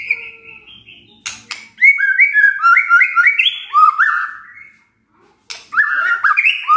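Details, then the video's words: White-rumped shama singing a kretekan and tembakan song: a loud climbing sequence of stepped whistled notes, a pause, then another burst of rich fluty notes with clicks. "KRETEKAN DAN TEMBAKAN murai batu full isian"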